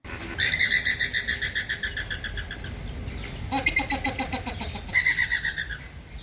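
Flamingos give nasal, goose-like honks in quick, uneven bursts of several notes, with short pauses between the runs.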